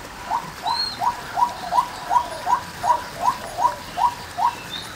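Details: Female white-breasted waterhen giving about twelve short, rising mid-pitched notes at a regular, fairly quick pace. One high thin whistle from another bird is heard near the start.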